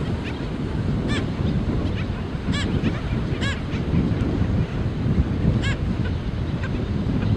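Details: Colony of black skimmers with chicks: four or five loud, nasal, barking notes spaced one to three seconds apart, with fainter calls between, over strong wind and surf.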